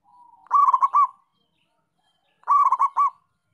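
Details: Perkutut of local breed line, a zebra dove, singing: a low soft lead-in, then a quick tumbling series of cooing pulses finishing on a held note, repeated once about two seconds later.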